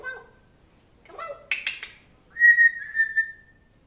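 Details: Pet African grey parrot thought to miss a dog from its former home; scratchy vocal bits and harsh bursts, then a long, steady, high whistle with a slight dip, indoors.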